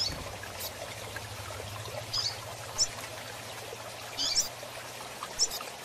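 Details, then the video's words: Kept rusty-collared seedeaters, males with females, giving a few sparse high chirps and a short cluster near the end, over a steady hiss and a low mechanical hum at the start. "Piado de Coleiros Pardos e Fêmeas"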